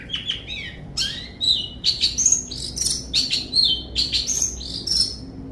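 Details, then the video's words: Long-tailed shrike singing a lively, varied run of short chirps, whistles and slurred notes, rising and falling in quick bursts about a second apart, with a faint low hum underneath. "Zoro si cendet sakti"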